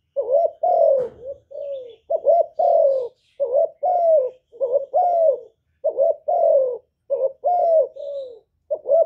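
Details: Spotted dove lure bird, recorded live without background noise, cooing loudly to stir other doves to sing: steady series of low, mellow coos, short notes followed by longer falling ones, repeated about every second and a half.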